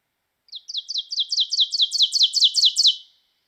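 Ovenbird song: about ten quick, ringing two-note 'teacher' phrases in steady succession, swelling from soft to loud toward the end, with nothing else heard.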